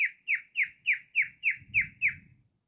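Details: Pet cockatiel singing indoors: eight clear whistled notes, each a short downward slur, repeated evenly about every third of a second, then stopping; faint low rumble behind.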